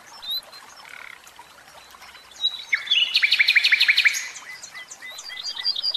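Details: Caged common nightingale song: faint soft notes at first, then a run of loud sharp repeated strokes, about eight in quick succession, followed by scattered high twittering notes.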